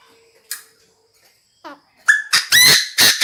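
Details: Decoy Chinese francolin calling the flock: after faint scattered notes, a loud harsh burst of rapid, grating, strongly harmonic notes rings out in quick succession near the end.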